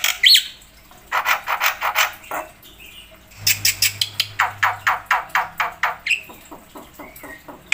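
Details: Jalak putih (black-winged myna) in energetic 'full isian' song used to train and lure birds: long runs of rapid, harsh barking notes in quick succession, with a brief whistle and a few pauses between the runs.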